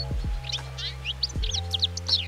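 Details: European goldfinch in a UK garden with bird feeders, a species usually in pairs or small groups, giving quick, bright, tinkling twitters and a run of short high notes over a steady low musical drone with soft thumps.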